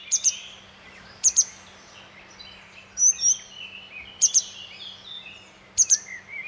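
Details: Grey wagtail by a fast-flowing stream calling with high-pitched, metallic quick paired notes, each pair followed by a slightly longer whistle, repeated every second or so and ringing clearly above the constant roar of rushing water.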